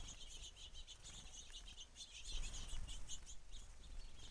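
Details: Many house sparrows at a feeder, an over-abundance of birds, chirping in a dense overlapping chatter of short bright chips throughout, with low background rumble.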